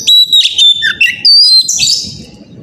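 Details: Oriental magpie-robin singing loudly in the morning, a lure song meant to spur other magpie-robins, young birds included, to sing: sweet sliding whistles and quick chirps, then a rising buzzy burst, over a low steady rumble.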